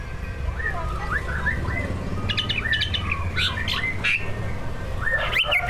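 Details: Prize-winning greater green leafbird in full song, its repertoire packed with mimicked fill sounds learned from tutor recordings, used to provoke other leafbirds to sing: varied quick whistled phrases and chirps, some sharp high notes, over a low background hum.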